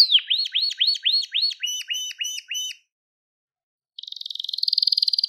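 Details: Crested Gloster canary song for training young canaries: a regular series of looping whistled notes, about four per second, dropping slightly in pitch midway, a pause, then a fast continuous high rolling trill.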